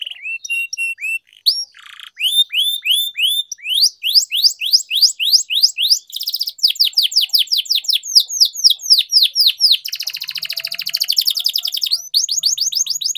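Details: Canary (kenari) in long rolling 'ngerol panjang' song meant for training other canaries: rapid series of downslurred notes forming trills, several changes of pace, ending in a fast buzzy roll.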